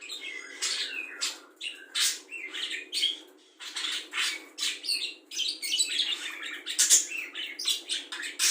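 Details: Budgerigar singing a varied song of imitations, said to include the calls of cucak jenggot, kapas tembak, a lovebird's ngekek and fighting sparrows. Dense, fast chattering of buzzy and whistled notes runs without pause over a low background hiss.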